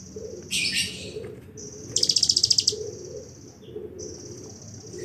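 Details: Bar-winged prinia in a 'bren'-filled song style, giving buzzy high rasping bursts, then a rapid run of about ten pulsed notes near two seconds, and thin sustained high buzzes between phrases.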